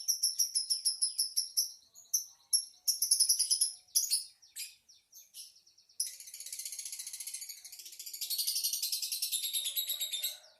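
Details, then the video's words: Lovebird chattering song: rapid series of high, sharp chirps repeated several times a second, then a dense buzzy twittering warble that swells and continues to the end. "Kicau Lovebird | Ocehan burung Lovebird"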